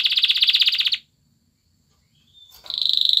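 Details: A male canary, dancing to court a female and stimulate her to mate, sings a rapid, high rolling trill pulsing about three times a second, breaking off for a silent second before resuming.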